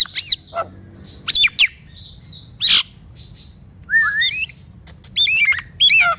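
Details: Nias hill myna song for coaxing silent mynas to sing: loud harsh squawks and twisted whistles separated by pauses, a long rising low whistle, then sharp looping notes near the end.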